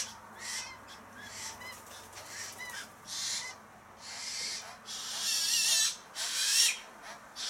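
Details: A chough family in a garden tree: three young jostle while a parent feeds them mince. Harsh, high, rasping calls come in overlapping bursts about once a second, several birds calling together.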